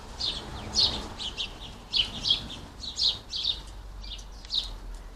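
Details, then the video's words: A busy squirrel-buster garden bird feeder in the UK with lots of hungry house sparrows chirping in short, bright bursts, several birds overlapping in an irregular busy chatter, with a faint low hum underneath. "lots of hungry house sparrows"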